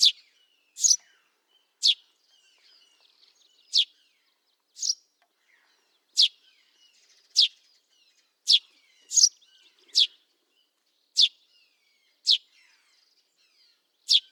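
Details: Eurasian tree sparrow (Passer montanus) recorded in the wild, giving sharp, high chirps about one a second, some in quick doubles, with faint softer twitters in between.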